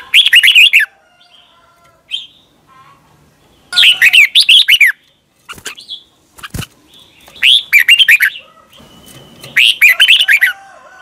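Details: Caged red-whiskered bulbul from Thailand repeating its doubled (เบิ้ล) song: four similar bubbly whistled phrases over about eleven seconds, with quiet notes and a few clicks in between.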